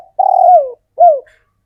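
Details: Local male spotted dove, wild-caught and hand-kept, calling steadily to attract females: two rich cooing notes, a longer slightly burred coo followed after a short pause by a briefer coo that falls in pitch at its end, in a quiet setting.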